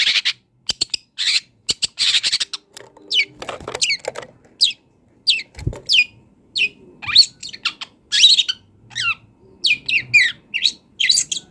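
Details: Long-tailed shrike from the wild, song for training songbirds: sharp clicks at first, then a series of thin downslurred whistles and chirps with short gaps, growing busier toward the end.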